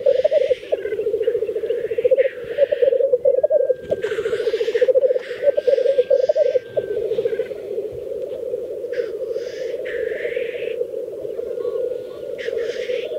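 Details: Black grouse lekking as a mating display in Teesdale, North Pennines, UK: continuous low bubbling, cooing rookooing at steady pitch, overlaid by repeated harsh hissing sneezes, several males calling together.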